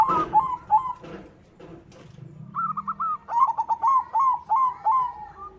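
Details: A white zebra dove (perkutut) sings a run of soft, staccato cooing notes, about three per second, each briefly rising then falling, over a faint low hum.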